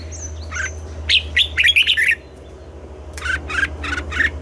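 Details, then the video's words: Red-whiskered bulbul singing in the morning in the double-note, mature wild-bird style, with brief high thin notes followed by a burst of quick slurred chirps and, after a pause, four buzzy rising notes over a steady low hum. "Luyện giọng cho chào mào hót sáng, ép chào mào hót âm kép già rừng hay tuyệt!"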